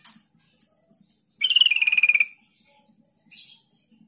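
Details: Yellow-vented bulbul lure call, used to provoke silent and wild birds to answer, giving a fast, bubbling trill of about a dozen notes that drops slightly in pitch, then a short harsh chatter.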